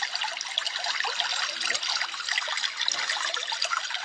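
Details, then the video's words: A Javan grey-throated white-eye sings a dense, rapid stream of high twittering and chattering notes, almost continuous, with a faint low hum behind. "kapas tembak gacor"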